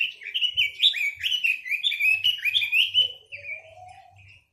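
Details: Chinese hwamei pouring out a rapid run of rich, fluty whistles, notes tumbling one after another about twice a second, ending in a softer rising whistle, with soft low thumps underneath.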